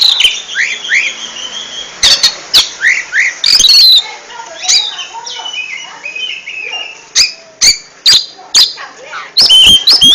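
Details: Oriental magpie-robin (kacer) in ngentrok-style song: short downslurred whistles repeated at the start, then scattered warbled notes and a rising trill, with sharp clicking sounds between phrases.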